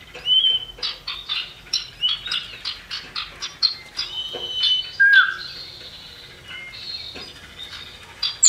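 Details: Male and female common iora (cipoh) in a lure recording meant to set birds singing: rapid sharp chips and chattering clicks mixed with clear whistled notes, one falling whistled slur near five seconds, busy and continuous.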